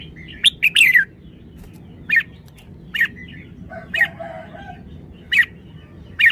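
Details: Red-whiskered bulbul opening with a rapid run of bright, falling whistles, followed by single sharp chirps about once a second and soft warbled phrases between them, over a low background hum.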